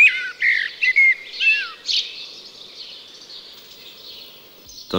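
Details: In mid-May in the hilly Allgäu, a common blackbird sings a few low, fluty whistled phrases that slide up and down, accompanied by a busy, higher chirping chorus of sparrows behind it.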